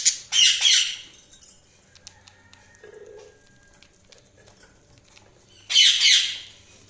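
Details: Budgerigars chirping: two bursts of bright, buzzy, high-pitched chatter at the start and near the end, separated by several quiet seconds with faint scattered clicks and a low hum.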